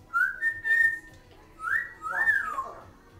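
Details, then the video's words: Six-year-old pet African Grey, with a second parrot of unknown age in the background, giving clear whistled phrases: a steady tone, then rising and falling swoops, four phrases in about three seconds. "Talking African Grey"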